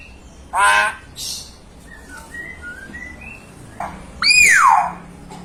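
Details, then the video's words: A young hill myna, a loud singer mimicking natural sounds and chickens, gives harsh squawks, a run of short clear whistles, then a long strident downward-sweeping whistle in a quiet room. "Beo Muda Gacor Suara Keras, Suara Alam, Ayam, Beo"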